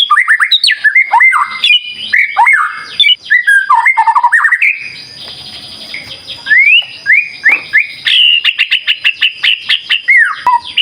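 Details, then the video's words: Long, lively run of White-rumped shama song for luring birds to answer: strings of rising and falling whistles, a quieter buzzy pause, then rapid upward-flicking notes and a fast sharp series to the end. "Pancingan Murai Batu Gacor"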